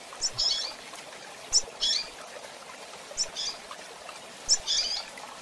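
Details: Double-collared seedeater female call, used to excite the male: short, high chirping notes in small bursts, repeated about every one and a half seconds, quiet against a soft background hiss.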